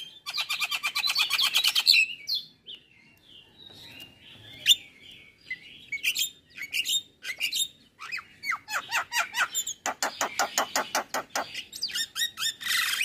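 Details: Morning song of a male Javan myna, tutor recording full of varied fills: a dense buzzy pulsed burst, a pause with scattered chips, then long strings of sharp repeated notes.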